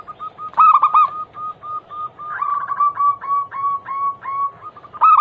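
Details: Zebra dove lure song meant to start other doves singing. A loud rolling coo opens, then a steady series of quicker, rising-and-falling coo notes follows, closing with another loud coo.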